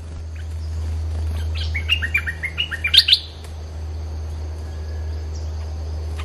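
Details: Brief bulbul phrase played to lure wild birds: a quick descending then rising string of about eight chirpy whistles lasting a second, followed by a steady low hum.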